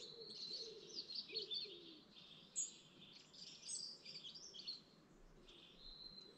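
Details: Birds of the dawn chorus by a Lake District lake give dense high warbling and twittering, with a lower rhythmic warble underneath early on and a sharp whistled note near the middle.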